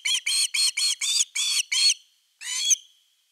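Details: On a nest camera on 30 August 2021 around the evening fish, an osprey gives seven strident, arched whistles in quick succession, then after a half-second gap one longer, drawn-out, hoarse whistled note.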